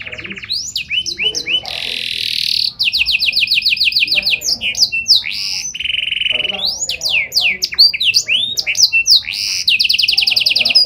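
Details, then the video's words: Prolific singing canary with a special song style, meant to trigger other canaries: quick upslurred whistles, hissy buzzes, rapid repeated chirp series and level rolls, shifting constantly with almost no pauses. "Burung Kenari Gacor Nembak Joss Cengkok Istimewa! Buat Kenari Lain Langsung Nyaut Gak Pake Lama"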